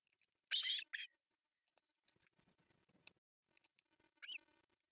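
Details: Loud squealing calls from begging osprey chicks at a July 1, 2024 breakfast feeding on an artificial nest in Finland, followed by soft rustling and tapping, then one more thin squeak.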